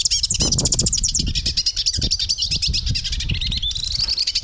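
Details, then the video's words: A hooded siskin (Carduelis magellanicus) song, intended for calling or training birds. It is a long, fast, twittering run of high chirps and trills with buzzy, warbled notes, over low thumps and rustling. "Hooded Siskin Song, Hooded Siskin Call, Bird Sound, Chirp"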